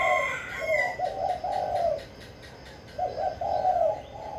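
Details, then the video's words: Caged spotted dove from Vĩnh Long, Vietnam, giving the kích bổi style of song. Soft low coos in two phrases, each a run of three or four hoarse notes with short gaps, and faint chirps of other birds above. "Cu gáy kích bổi mau nổi"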